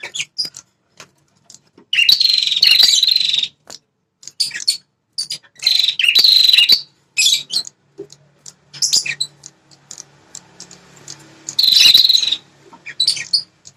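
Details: Prinia named prenjak kepala merah, a fighting bird that guards its territory, call used to provoke wild males; repeated harsh, fast chattering bursts of one to two seconds, separated by quieter ticking and pauses.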